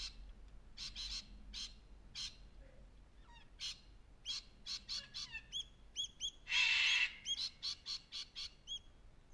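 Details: A male cockatoo, lifting and showing off his wings, gives harsh, raspy squawks in quick bursts about every half second, with one longer, louder screech; thinner chirping notes fall in between.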